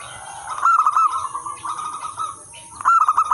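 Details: Song of a local wild zebra dove, meant for luring and training other zebra doves: a quick run of rolling coos, a brief softer lull, then another fast cooing burst, with a constant high hiss behind.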